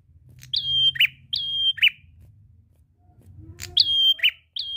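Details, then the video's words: Singing prinia in full voice, meant to draw other birds into song: high flat whistled notes, each ending in a sharp dropping chip, repeated in two bursts separated by a quiet gap with low background rumble. "Prenjak gacor ngalun ampuh pancing bunyi burung ngetem"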